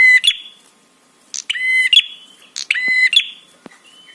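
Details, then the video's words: Prinia 'trapi' sound for provoking responses and arousal. A few harsh, rattling buzzes with clicking onsets, separated by about a second, followed by a faint thin whistle at the end. "SUARA TRAPI PRENJAK SEKETIKA BIKIN EMOSI DAN BIRAHI"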